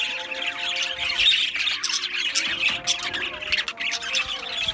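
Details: Australian budgerigars in an aviary colony chattering nonstop: dense overlapping squawks and scratchy warbled chirps, with steady low tonal hum running beneath throughout.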